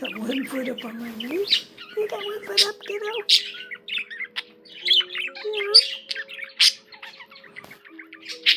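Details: Budgerigar song of busy, scratchy warbling and sharp chirps packed together, with a lower wavering voice at the start and gentle held musical tones running beneath.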